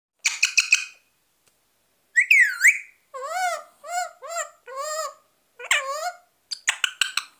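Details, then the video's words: A pet parrot gives harsh chattering bursts, a swooping whistle, then a run of wavering, speech-like talking syllables and more rapid squawky notes. "Parrot Talking and Whistling"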